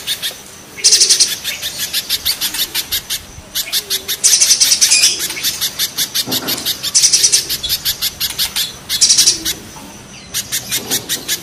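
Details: Harsh, rough spiderhunter song; the recording pits a mountain spiderhunter against a banana spiderhunter. Fast runs of high piercing chips break into dense buzzy trill bursts about every two to three seconds.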